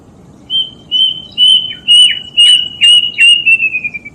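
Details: Energetic plaintive cuckoo song, a recording for songbird tutoring and luring: a quick series of about eight pure whistles, each rising slightly then dropping, pacing faster and closing with softer, lower-pitched notes.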